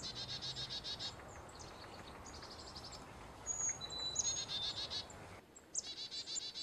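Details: Carolina chickadee calling: several bursts of rapid buzzy 'dee' notes alternating with thin high whistled notes and short chips, with faint background noise throughout.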